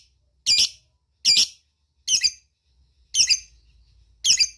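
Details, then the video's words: Lovebird calling companions with five loud, harsh, high squawky chirps, each slightly doubled, spaced irregularly under a second apart. "Cik cik cik cer,suara lovebird ngetik ngekek dan memanggil kawan"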